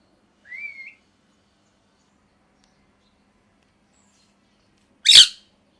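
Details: Pet parrot in molt whistling one rising and levelling note, then after a pause giving a single loud harsh screech.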